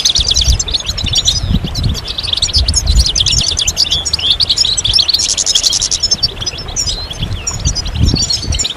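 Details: Several European goldfinches chatter together, calls meant to stimulate males to sing and show mating readiness; dense, rapid high twittering and buzzy trills run throughout, with low rumbling background noise.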